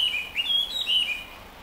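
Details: Hwamei (Garrulax canorus), introduced bird recorded 30 June 2015 in Chofu, Japan, practising song: a brief run of clear, slurred notes rising and falling in pitch, three or four phrases in under two seconds over a quiet background.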